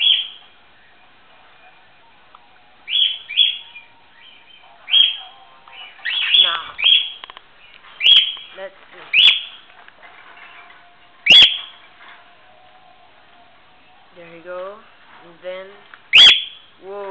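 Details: A pet cockatiel calling excitedly gives shrill, rising chirps and squawks in short bursts, with some human speech nearby.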